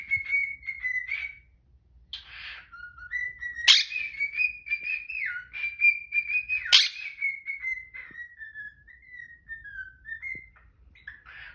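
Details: Long morning song by a pet cockatiel: a steady string of clear whistles wandering up and down in pitch, broken by two loud sharp shrieks and a coarse squawk from a protesting Quaker parrot.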